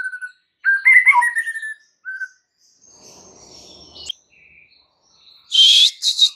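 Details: Song of a champion-class white-rumped shama, played to goad other shamas into singing. Warbled mid-pitched phrases, a thin high drawn-out whistle over a faint rustle, then a loud shrill burst at the end.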